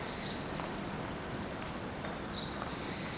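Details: Mobbing barn swallows at a communal nesting site of some twenty pairs, attacking a scouting crow to protect their chicks: quick, piercing high-pitched calls in scattered bursts, with faint background noise.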